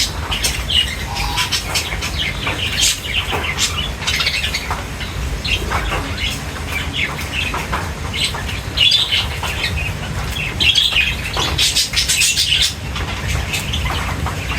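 Budgerigars chirp and warble in busy, overlapping bursts alongside fluttering wings.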